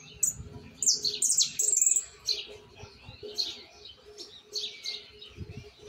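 A young Argentine white goldfinch practises its song: bright, high chirps and quick buzzy trills in uneven bursts, over a faint steady hum.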